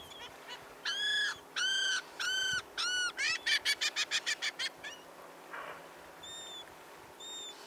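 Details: A juvenile crested caracara feeding on whale remains in Chile in 2021 gives four drawn-out, harsh, grating notes, then speeds into a rattling run of about eight shorter ones, with fainter calls at the end.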